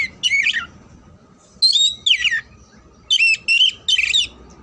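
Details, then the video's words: Oriental magpie-robin singing, used as training for singing contests: clear, loud whistled phrases with rising and falling slurs, delivered in brief groups of two or three notes with gaps between them. "TERAPI SUARA KACER KHUSUS BUAT MELATIH MENTAL KACER SIAP LOMBA"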